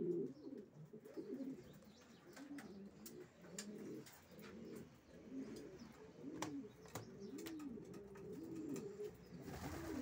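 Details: Several racing pigeons cooing together, a dense overlapping chorus of low, short arched coos, with scattered clicks and a brief rustle near the end.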